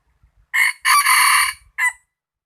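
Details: Rooster crowing loudly and close: a short opening syllable, a long, rich, harmonic held note of about three-quarters of a second, then a brief clipped final note; the background is otherwise quiet.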